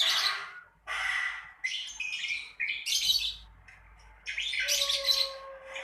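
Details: Lovebird ngekek trill, meant to draw song out of beginner lovebirds. Loud, squeaky chattering bursts come about every second, with a thin steady whistle near the end.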